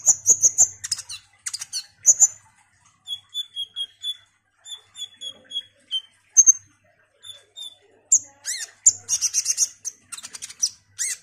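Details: Olive-backed sunbird in lively, frequent song meant to provoke other birds: high thin whistled notes, bursts of sharp buzzy trills at the start and end, and a middle run of level piping notes repeated steadily.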